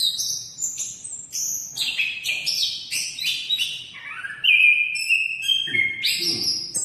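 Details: Orange-headed thrush (anis kembang), called a very vigorous singer, giving rich, continuous whistled song with descending phrases, then a longer steady whistle and renewed varied notes.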